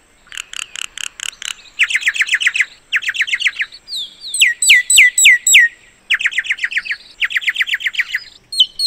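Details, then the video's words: Common myna song: bursts of rapid, chattering high notes repeated in quick groups, broken mid-phrase by a run of sharp, downslurred whistled notes, then more rattling chatter. "صوت طائر المينا المينة الشائعة song call Common myna"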